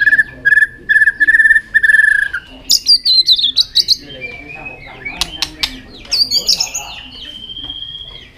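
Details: White-rumped shama singing with tail flicks, a fighting song that excites young shamas: a rapid run of repeated clear notes, then loud high twittering phrases, clicks and a long drawn-out whistle.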